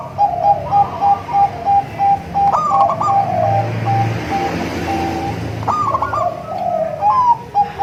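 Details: Sweet song of zebra doves (local, crossbred, Bangkok) used as a lure: long series of short evenly spaced coo notes with two rolling trill bursts, low background hum.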